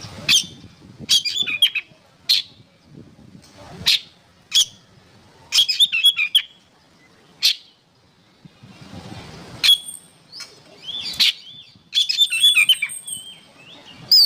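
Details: Oriental magpie-robin song used as training material for songbirds. Sharp, scratchy notes repeat at irregular intervals with short whistled flourishes between them. A denser jumble of warbled notes closes the passage.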